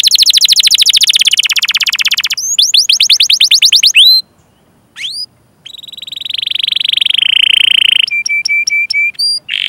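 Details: Long-running canary training song meant to draw out young or non-singing canaries: dense rapid trill, clipped upslurred notes, a short pause, then a flat sustained buzzy tone and sharp repeated pips.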